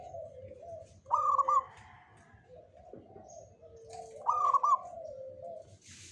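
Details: A local zebra dove, in the afternoon, gives two bursts of soft, rapid, bubbling coos about three seconds apart, with a steady low hum and faint chirps from other birds behind.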